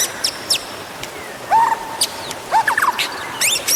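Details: White-rumped shama song used to prompt other birds to sing: scattered whistled phrases, rising and falling slurs with sharp high chips, separated by short pauses.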